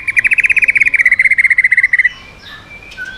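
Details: White-rumped shama, voice-switching song aimed at provoking other birds: a rapid, even trill of buzzy notes held for two seconds, followed by faint scattered whistles.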